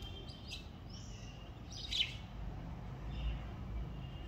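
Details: House sparrows sheltered and fed at a home, morning: a few short, high chirps spaced irregularly about a second apart, over a steady low outdoor rumble.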